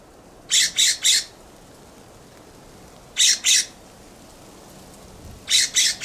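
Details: California scrub jay perched on a plum in a backyard giving harsh, loud scolding calls: three quick rasping notes, then two, then three more, each burst broad and buzzy, separated by pauses of about two seconds.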